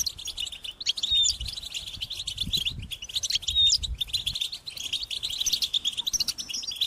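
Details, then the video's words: European goldfinch chicks calling their parents to be fed: high-pitched, insistent twittering with rapid buzzy chirps, steady throughout, broken by brief pauses and a few clearer whistled notes near one and three and a half seconds. "unique experience in stimulating goldfinch and chirping birds"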